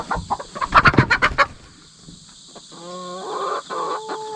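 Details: Hen sisters raised from chicks, just put together and settling their pecking order, in a tense chase: a burst of loud rapid harsh squawks, then short repeated clucks and drawn tonal calls, with insects buzzing throughout.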